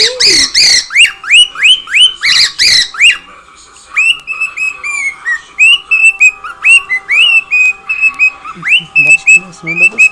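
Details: Pet cockatiel at home singing and making noise: a run of clear whistled notes, each bending upward then levelling, repeated about three per second, opening with a few harsh, raspy squawks.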